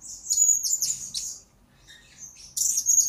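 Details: Blue-crowned hanging parrot, a recording used to tutor and lure birds in training: thin, very high squeaky twitters in two bursts with a brief quiet gap between them.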